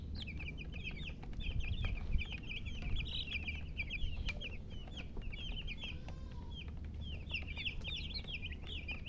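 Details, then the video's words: Chicks peep in a busy stream of short high chirps, many overlapping, with occasional clicks and a steady low hum in the background. "silly chicken chirping sounds with murgi hen color chicken"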